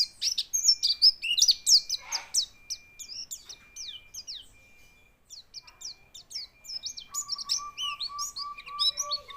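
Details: White-eye singing while quivering its body: rapid tumbling run of high, thin whistled notes and quick downslurred chirps, pausing briefly midway, then resuming with a steady lower tone running underneath near the end.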